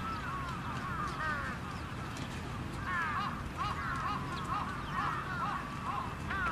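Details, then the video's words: Several trapped crows give a busy run of overlapping harsh caws, short and arched, repeated in quick clusters over steady low noise. "Crows Trapped"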